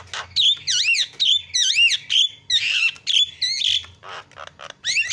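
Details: Javan myna calls used as a lure to get other birds calling: loud bursts of harsh squawks mixed with wavering, bending whistles, about one burst a second, delivered irregularly and noisily.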